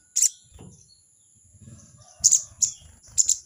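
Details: Harsh, scratchy 'crecet' bursts from a crested jay calling out a rival: one burst, a long gap, then three more in quick succession, over a steady high hum and low rumbling.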